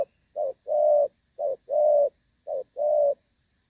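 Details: Spotted dove undergoing moult, Thổ Pha style, cooing steadily: three quick pairs of a short pip and a longer smooth coo, separated by silence.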